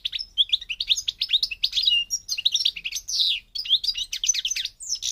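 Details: Continuous twittering song of a European goldfinch of the North African Parva type from Morocco, packed with fast, high chirps, tinkling notes and short buzzy trills that run without a break.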